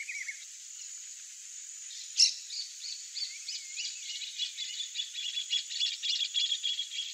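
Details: A very agitated male Blue Dacnis (Dacnis cayana), defending its territory, gives a rapid run of thin, high chips and short twittering notes, several per second, over a steady high hiss.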